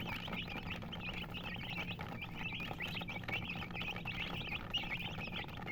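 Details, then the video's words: High, squeaky chirping from a group of colored chickens, dozens of brief slurred notes packed densely, over a low constant hum. "silly chicken chirping sounds with murgi hen color chicken"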